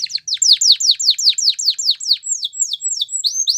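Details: Canary singing a steady series of quick, bright downward-sweeping notes, about two and a half per second, slowing slightly into longer slurred whistles near the end; no other sounds.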